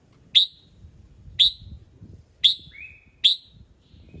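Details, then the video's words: Red-whiskered bulbul singing in the morning to encourage other birds: four crisp, high chip notes about one per second, with a short level whistle slipped in after the third. "Chào Mào Hót Sáng Nhiều Âm Hay | KÍCH CHIM HÓT THEO LIỀN"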